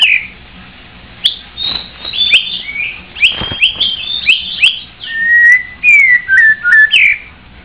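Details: White-rumped shama singing a rich, varied phrase of high slurred notes and clicks, ending in several loud, clear whistles that drop and rise in pitch.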